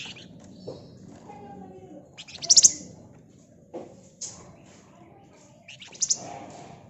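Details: Flamboyan bird singing vigorously in the dense rapid ngebren style, used as a lure to prompt other flamboyans to sing; scattered sharp, very high buzzy chirps in short clusters, separated by quiet pauses with low background hum.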